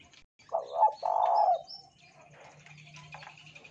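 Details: Spotted dove singing as a lure to set other doves calling: one phrase of short stuttering coos running into a longer husky coo, then a low steady hum and faint bird twitters.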